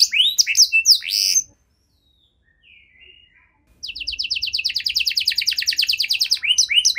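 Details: Canary singing to stimulate other canaries to sing: a few loud rising slurs, two seconds of near silence, then a fast, even trill of high repeated notes ending in upswept chirps.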